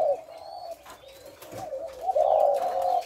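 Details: Thổ lối style cooing of a spotted dove, 18 September: soft, low hooted notes running together, then a louder, fuller coo near the end, with faint higher chirps of other birds in the background.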